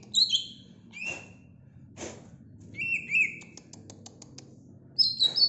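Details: Greater green leafbird in song near the kitchen: scattered high whistled notes, some bending down, others steady and wavering, with dry clicks between, over a low steady hum and a couple of soft thumps.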